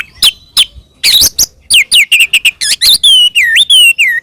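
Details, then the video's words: Oriental magpie-robin in fighting song meant to provoke rival magpie-robins: sharp chattering notes and rapid scratchy phrases give way to loud, drawn-out, wavering whistles near the end. "kacer gacor NGEPLONG TARUNG ini paling AMPUH buat PANCINGAN KACER agar EMOSI NYAUT"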